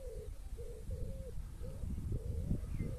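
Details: At a campsite in Doncaster, Yorkshire, UK, on a quiet rainy evening, a bird gives soft, low, dove-like cooing notes in short repeated phrases over a steady low rumble of wind or distant traffic.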